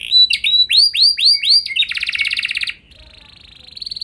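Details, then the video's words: Canary singing as a lure to set other canaries singing hard with long rolls: rapid swooping notes about five a second, then a dense buzzy trill, a short pause, and a rising trill starting again. "Pancingan Burung Kenari Ampuh Bikin Kenari Lain Auto Gacor Ngeroll Panjang | Canary Singing"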